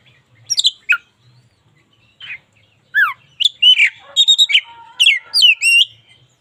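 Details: White-rumped shama, local Indonesian bird in full song, used as daily training material for other songbirds: scattered whistled and buzzy notes with rising and falling sweeps, pausing then building into a dense varied burst of high phrases.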